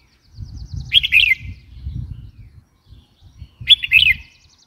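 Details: Red-whiskered bulbul calling twice, each burst a lively, slurred chirping phrase of several quick notes; soft low background murmur continues between calls.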